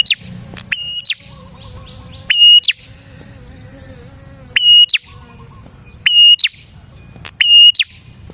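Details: Prinia singing, played as a lure for catching prinias: shrill flat whistled notes ending in a sharp flick, repeated in bursts roughly every one to two seconds, with faint buzzy chirps and low hum between phrases.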